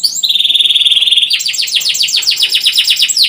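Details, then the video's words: Canary singing continuously: a long steady high trill, then a fast run of repeated descending chirps, loud and clear. "Kenari gacor panjang cuit cuit"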